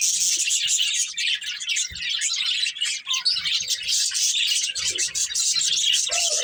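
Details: Steady, unbroken warbling from colourful budgies kept as a breeding pair. High, rasping chirps and fast twittering run through the whole stretch at an even loudness.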